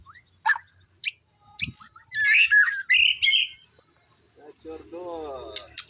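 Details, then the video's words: White-rumped shama singing in bursts of squawky, buzzy phrases and sharp high notes, with a low harmonic chatter near the end and quiet background murmur. "burung muraibatu"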